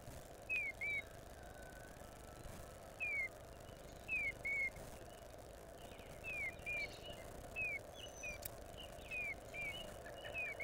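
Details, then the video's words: Female Eastern Bluebird singing soft, falling whistled notes in short pairs and triplets, a phrase every second or two, in the early morning in mid-April, recorded on a nest cam, over a steady low rumble. "female Bluebird singing"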